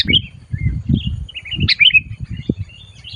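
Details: Sooty-headed bulbul lured during trapping, calling loudly and aggressively: a run of sharp, liquid chirps and short whistled slurs within three seconds, with dull low knocking and rustling underneath.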